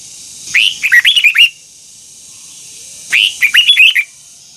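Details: Red-whiskered bulbul song, a training recording meant to coax double-note twisted phrases from a bird: two bright bursts of rapid, warbled, rising-and-falling notes around one second long, separated by a pause of about two seconds.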